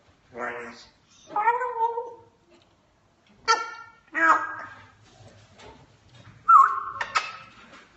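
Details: African grey parrot (Psittacus erithacus) speech mimicry: speaks several short word-like phrases in a human-like voice, then gives a clear, sharp whistle and a clicking sound effect.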